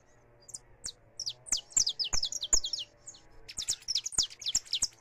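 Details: Saffron finch singing free, recorded live: a lively string of high, sharp chirped notes in quick bursts, a brief pause near three seconds, then another rapid run of bright chirps.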